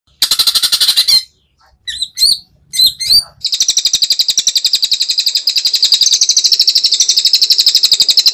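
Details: Captive greater green leafbird in a tutor recording packed with sharp 'tembakan' phrases prized by contest judges: a buzzy high trill, a pause, a few separate whistled slurs, then a long, fast, even trill of about four notes a second.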